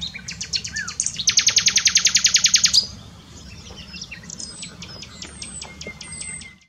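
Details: Singing nightingale near Dohr, Eifel, Germany: a loud, rapid rattling series of about fifteen identical notes, then thin high whistles and scattered chips, with low background rumble throughout.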